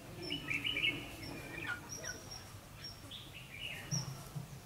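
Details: Red-whiskered bulbul during decoy trapping, 9 December 2015: a quick burst of warbled, chirpy notes at the start, then thin high whistled notes and short chirps spaced across the rest, with low background rumble.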